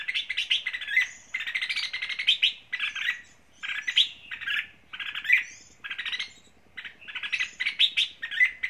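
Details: Red-whiskered bulbul, a trap-and-fight lure bird from Lang Son, Vietnam, its voice described as a leader's voice; harsh chattering bursts of dense notes, each about half a second to a second long, repeated with short pauses, fairly loud and close.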